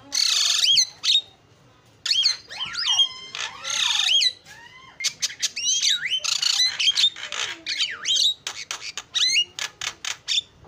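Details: Javan myna song full of varied sounds: long harsh screeches, swooping whistled slurs rising and falling, then a fast series of short clicks and chattering notes.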